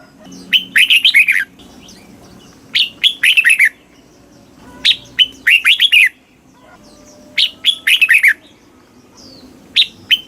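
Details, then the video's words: Red-whiskered bulbul singing in the southern Thai master style, from Thailand, used to rouse caged birds and teach young ones. Five short, bubbly phrases of sharp notes and fast rolling warbles, repeated roughly every two seconds, with light background hum. "เสียงนกกรงหัวจุก ร้อง ริก เปิดให้นกฟัง ยั่วให้นกคึกจัด chao mao hot, chào mào hót"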